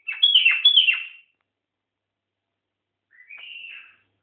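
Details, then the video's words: Bubbly descending whistled phrase from a seven-year-old white-eared bulbul, then after a pause a softer rising whistle, with no other sounds. "White ear bulbul"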